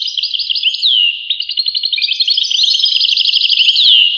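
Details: Lively song of a European goldfinch: tinkling twitters, a falling slurred whistle, then a dense run of quick chattering notes ending in another down-slurred whistle.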